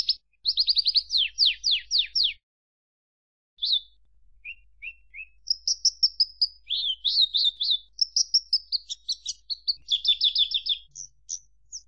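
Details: Javan bush lark song: a fast run of descending slurred notes, a brief silence, then soft low notes building into varied chirps, trills and warbled phrases, the song rich and mimic-like.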